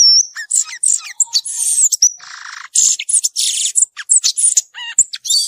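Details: Violaceous euphonia singing in the wild, a dense, rapid medley of high chips, scratchy buzzes and thin whistles, with one lower rasping buzz near the middle and quick rising slurs near the end.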